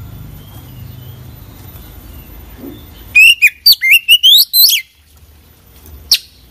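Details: Oriental magpie-robin song with fill-ins: after a quiet stretch of low hum, a single fast burst of about seven high, swooping whistled notes, followed by one last sharp note.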